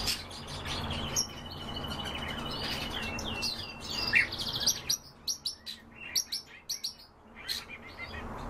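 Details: European bee-eater calls: clear, rolling chirps, first over a high insect whine, then crisp separate notes spaced roughly every half second in a quieter stretch.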